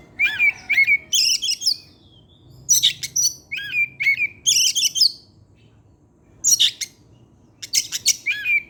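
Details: Oriental magpie-robin in its regular afternoon song, delivering varied material: clear falling whistles alternate with bursts of harsh, buzzy high notes in repeated phrases, with pauses of about a second between groups.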